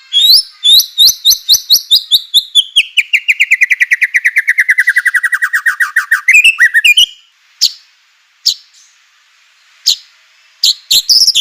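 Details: White-rumped shama song used to provoke other shamas into singing: a long, fast trill of sharp notes that slides steadily down from high to middle pitch over six seconds, then scattered sharp chips and clicks.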